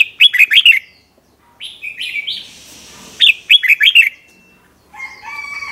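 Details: Red-whiskered bulbul singing the doubled 'bernl' style used to train young birds: bubbling five-note phrases repeated, a softer whistled link between them, ending in fainter chirps.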